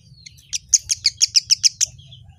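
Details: Kemade bird that answers any sound at once; a tight, evenly spaced series of about nine loud, high, sharp chirps lasting just over a second, over a faint low hum.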